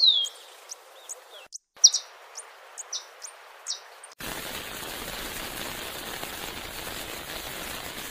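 White-necked jacobin giving thin, very high chips, about one every half second for four seconds, before a steady rush of broadband noise takes over.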